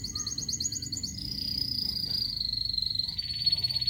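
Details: Rembang local canary in full song: fast pulsed high trill, then a long sustained buzzy roll that steps slightly lower near the end, against faint low hum.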